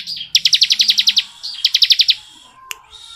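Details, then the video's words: Bar-winged prinia, known as ciblek, in long ngebren song: a dense rapid series of sharp high notes, a brief gap, then a shorter matching burst before quiet. "BURUNG CIBLEK NGEBREN PANJANG"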